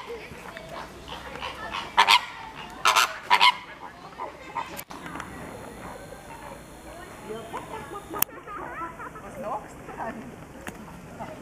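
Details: A few greater flamingos (Phoenicopterus roseus) give three loud, nasal, goose-like honks in quick succession, followed by softer murmuring calls from the flock.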